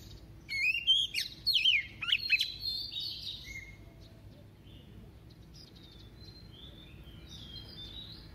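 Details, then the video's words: Female decoy white-rumped shama giving a double-voiced song meant to excite males: about two seconds of fluty, slurred whistles and chips, fading into soft, distant notes. "Choè than mái mồi hót giọng kép kích trống cực phê"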